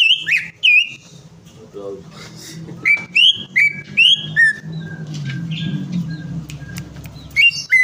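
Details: Greater green leafbird prompt song meant to coax a bird that has stopped singing: loud, clear whistled notes, some sliding down, in quick bursts with short gaps of softer buzzy chatter over a low steady hum.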